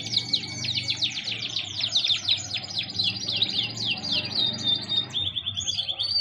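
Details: Several birds chirping together in a dense, continuous chorus of rapid high twittering notes with sweeping downslurred chirps.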